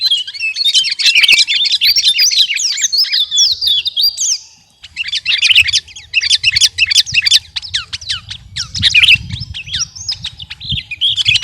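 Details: Sooty-headed bulbul, kutilang garuda type, singing busily and ready for contest: dense bursts of sharp chirps and quick slurred whistles, pausing briefly near the middle before a second chattering run, with faint low rumble behind.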